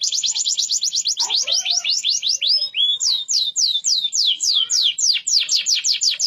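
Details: Deep yellow canary in full rolling song, a chain of fast, high downslurred whistled notes repeated several times a second, with brief changes of pace and a steady, unbroken flow.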